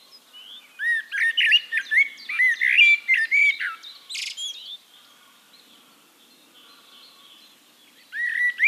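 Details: Eurasian blackbird song from Castricum, the Netherlands: a dense, fluty warbling phrase with sliding whistles and a scratchy high flourish, then a near-silent pause with distant twittering, before a new mellow phrase begins.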